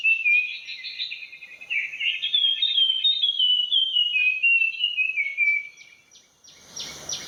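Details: Puff-throated Babbler morning song in a garden in western Thailand: a run of clear whistled notes sliding gradually downward over about five seconds, then a brief rustle.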